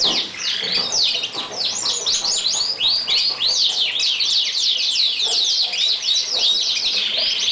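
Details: Lancashire canary, an English breed kept as a master singer for young canaries, delivering a dense, continuous run of rapid high chirps and twittering notes with fast downward sweeps, barely pausing throughout.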